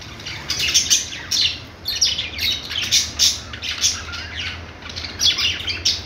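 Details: Parakeet warbling in bursts: clusters of rapid high chirps and raspy squeaks about every half second, separated by brief pauses, low hum beneath.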